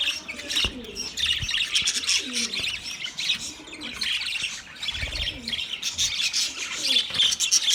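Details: Budgies chirping in a lively, crowded chorus of high twitters and squeaks, while soft low curving coo-like notes repeat beneath the chatter.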